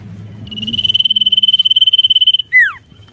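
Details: Sirtu in full song meant to provoke rivals, giving a long, evenly pulsed high trill of about forty beats over two seconds, ending in a loud, steeply falling whistle; low murmuring in the background.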